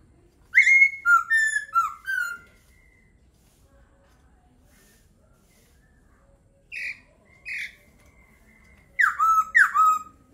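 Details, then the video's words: Laughingthrush song in three bursts: a cluster of four clear falling whistles, two shorter notes after a long silence, then two strong downslurred whistles at the end. "Khướu hót hay."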